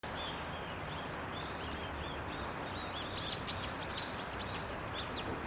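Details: Daurian redstart giving short, high, arched chirps, sparse at first and then repeated several times a second in the latter half. A steady loud background hiss runs throughout.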